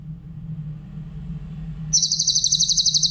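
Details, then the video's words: Clear song of a Grey-headed canary-flycatcher, intended for teaching other songbirds: after a quiet start with low hum, a high, rapid trill of regular pulses begins and runs to the end. "Masteran burung cililin , suara jernih"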